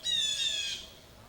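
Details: A Blue Jay in a backyard by Jacobs Brook, recorded 16 July, gives one loud, harsh, nasal squawk under a second long with a slight downward slur; nothing else is heard.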